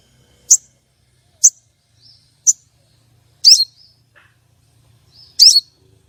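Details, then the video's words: Female common iora call played to stir a male's breeding drive for contests: three short sharp chirps spaced about a second apart, then two longer buzzy descending rattled notes, very high-pitched. "Pancingan sogon betina untuk pikat dan pancing birahi sogon jantan lomba"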